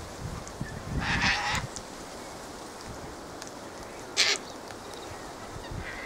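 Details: Sulphur-crested cockatoos (Cacatua galerita) gathering and fighting: a drawn-out rasping squawk around one second, a short sharp screech later, and low background rumble between the calls.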